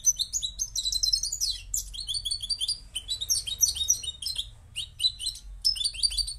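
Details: Moroccan goldfinch song in choppy bursts of rapid, sweet twitters and trilled notes, broken by short silences, with a low steady hum in the background.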